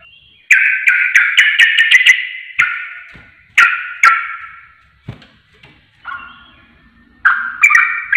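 Yellow-vented Bulbul song: bubbly, liquid, chattering phrases about a second long, repeated with short pauses, ending in quick rising notes.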